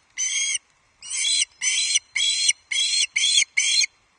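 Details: Juvenile male Osprey at its Loch Arkaig nest, 31 July 2023, shrieking loudly after a parent brings a headless trout; seven loud grating screams, the first long and isolated, the rest in a quick run.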